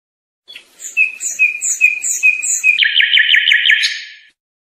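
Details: European goldfinch singing for young birds to memorize: five evenly spaced liquid whistled notes, then a fast ringing trill of short repeated notes lasting about a second, clean and without background noise.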